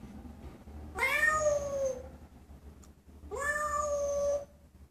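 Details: An African grey parrot meows like a cat twice, about two seconds apart, each call rising quickly and then holding a steady nasal tone over a quiet room hum.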